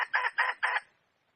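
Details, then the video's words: Red junglefowl hen giving three loud, harsh, broad clucks evenly spaced, followed by quiet. "Suab poj qaib qus seev zoo heev"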